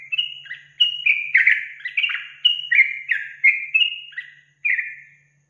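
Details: Sooty-headed bulbul song played to excite untrained bulbuls: loud, clear, two-toned whistled phrases repeated in bursts roughly every half second, with brief pauses and a final lone phrase.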